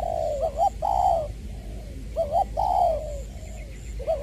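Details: Decoy spotted dove, 'giọng tiểu' style, Trà Vinh, 22 February 2021; three rhythmic coo phrases, each a bubbling double note leading into a long gently falling croon, roughly every one and a half seconds.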